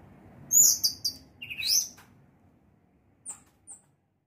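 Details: Orange-headed thrush, teler singing style: a few high thin whistled notes and a rising sweep, then two faint sharp chips, with quiet gaps between.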